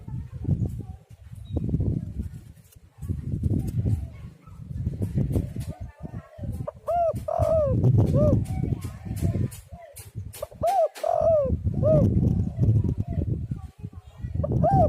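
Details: Spotted dove lure recording: the first half holds only low rumbling noise, then repeated phrases of soft arched coos follow in the second half, still over the rumble.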